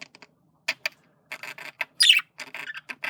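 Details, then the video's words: Male budgerigar flirting gives scattered short chirps and clicks, then a sharper, higher squawk near the middle, with brief quiet gaps between bursts. "Male Budgie/Parakeet Sounds Of Flirting"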